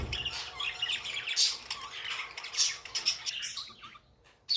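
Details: Budgerigar chatter from pet birds: quick twittering chirps and scratchy squeaks run together, fading to near quiet before one final sharp note.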